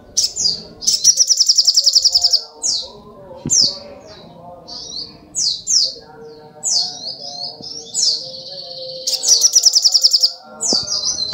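A sunbird sings high, thin, rapid phrases: twittering notes and fast stuttering trills in quick bursts, with a faint low hum underneath.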